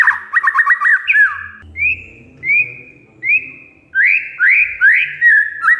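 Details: Lure song of an oriental magpie-robin: a burst of rapid, sharp chattering notes, then a series of separate rising whistles spaced under a second apart, ending in quicker whistled phrases, with a soft low hum behind.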